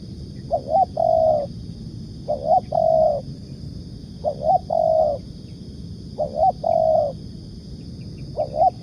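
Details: Spotted dove cooing for luring, 'nekan' style: five evenly spaced phrases, each a quick looping double note followed by a sustained mellow coo, repeated about every two seconds over faint low background noise.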